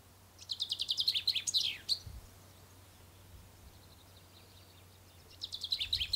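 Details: Common chaffinch singing at dawn on the first day of spring in poplars along the Ucero river bank: a bright, rapid descending trill of high notes ending in a flourish, repeated after a pause of about three seconds.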